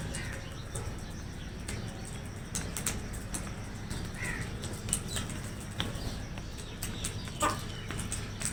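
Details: Crows fighting over food; a few short, harsh caws stand out over a steady low rumble of background noise, with scattered clicks and wing sounds.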